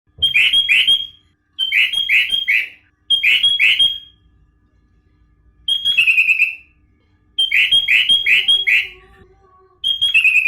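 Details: Sooty-headed bulbul singing an isian song filled with other birds' material, a live recording: bright whistled phrases of three to four rapid slurred notes, repeated in bursts about every 1.5 seconds, some ending in falling trills, with a faint low hum between.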